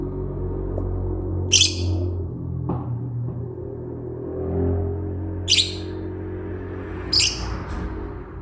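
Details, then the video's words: Chatty rosy-faced lovebird chirping: four brief, bright, high-pitched chirps spaced irregularly over several seconds, with a low rumbling hum and faint household noise underneath. "Lovebird singing and chirping sounds|very chatty bird"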